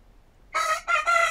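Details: One of two dueling roosters gives a loud, raspy crow: an opening burst, a brief dip, then a longer sustained final segment, strident and harmonically rich, cut off at the end.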